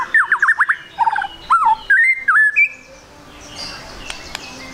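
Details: A spotted 'trotol' white-rumped shama sings energetically, played as a lure to prompt quick singing. Rapid slurred whistles and a lower warble lead into looping whistled notes, then the song stops and faint background noise remains.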